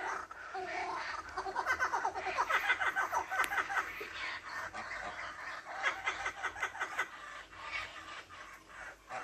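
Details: Young laughing kookaburras being hand-fed, trying to laugh; rapid runs of harsh, chuckling notes repeated in quick bursts, rising and falling in strength, with faint human coaxing nearby.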